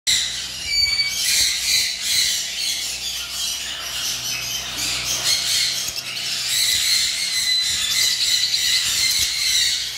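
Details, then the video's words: Lovebirds at a bird farm, many birds calling together in a dense, continuous high-pitched chatter of shrill squawks and chirps, with a low steady hum beneath. "Love bird || ভালোবাসার পাখি"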